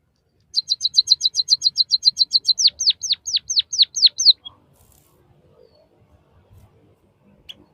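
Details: Captive-bird training song of white-headed munia, locally emprit kaji or bondol haji. About fifteen rapid, high, sharp ticks run into seven slurred whistles that drop steeply in pitch, followed by near silence.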